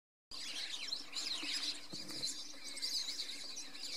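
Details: Red-cowled cardinals in a flock in the Brazilian sertão during the dry season, when they gather in groups: a dense, continuous wash of overlapping high chirps, squeaks and thin slurred whistles, with no clear pauses, outdoors.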